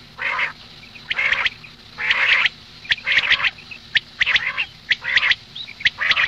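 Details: Hoarse, buzzy calls of a female common quail at morning, about one per second in a steady series, broken by occasional clicks.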